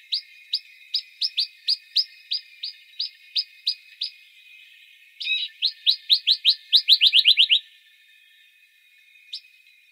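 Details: Western rock nuthatch, İzmir, Türkiye, March 2020: steady series of sharp upslurred whistles, about four per second, then a faster accelerating run of loud piping notes that stops abruptly, followed by one isolated note.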